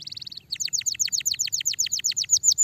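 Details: Canary song for stimulating a lazy canary: a short buzzy trill, then a fast, evenly repeated run of sharp descending whistled notes, finishing with a few upward slurs, over a faint low rumble.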